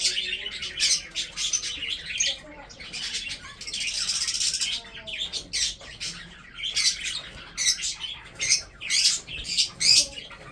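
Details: Breeding budgerigars, kept as pets, eating food and chirping: rapid overlapping chatter of harsh chirps and warbles from several birds, swelling and fading, with faint room noise.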